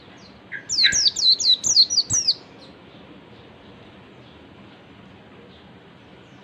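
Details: Pleci, the oriental white-eye, in ngalas style, used to lure other white-eyes into answering. A rapid run of about eight piercing, high, downward-sliding notes lasts under two seconds, followed by low background hiss and one final note.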